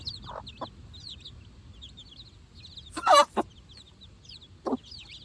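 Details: Chicks four days old, first time out on fresh grass beside their mother, peep in scattered high bent chirps while the hen gives several loud, low, harsh clucks, the strongest burst midway through.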